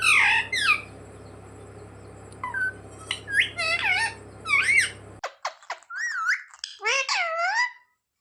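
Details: Talking parrot (mitthu) kept as a pet, mimicking "mummy papa": scattered squawks and bent whistled syllables, the first half over a low hum, then a clearer quick series of wavering, voice-like notes.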